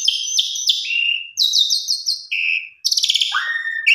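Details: A female Asian pied starling calls for a male, used as a lure: rasping buzzy bursts, a quick rattling series of clipped notes, a flat nasal tone, then a grating rattle sliding into a falling whistle.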